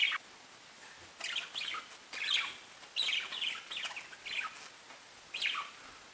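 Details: Pet budgerigars chirping in short, separate bursts of high twittering notes, about one burst per second after a quiet opening, with a faint background hiss.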